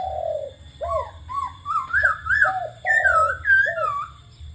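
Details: Spotted dove cooing mixed with laughingthrush calls: low soft coo notes alternate with clearer, higher whistled phrases that swoop up and down, over a faint steady hum.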